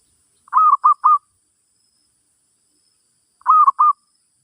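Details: Cooing of a zebra dove, sounded to train a new bird: two rapid triplets of soft, rolling, mid-pitched notes about three seconds apart, with nothing else audible between them.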